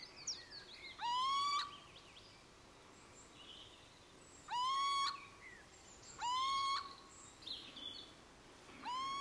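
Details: Little owl (Athene noctua) calling alone, a clear rising mewing note with strong harmonics, repeated four times at irregular gaps of about two to three seconds, with faint higher bird chirps in the background.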